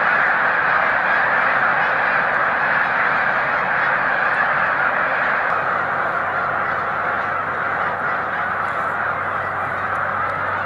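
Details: Snow geese, a large flock lifting off together as a boat draws near, March 2021: a thick, unbroken wall of overlapping nasal honks, steady throughout, with a low engine hum underneath.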